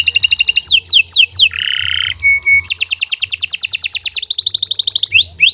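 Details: Canary song for training: sweeping trills, a low buzzy rattle, a short clear whistle, then long rapid rolls of repeated notes.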